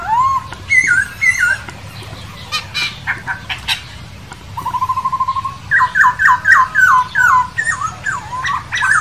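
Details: Masked laughingthrush (poksay hongkong) in the wild, singing loud varied phrases: whistled notes rising and falling, then a fast series of repeated slurred notes near two per second, with short sharp chatter between.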